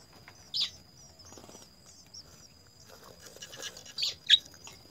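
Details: House sparrows at a nest, mother and father feeding three young: a few short, sharp high chirps in separate bursts, with soft fluttering and a steady thin high tone in the background.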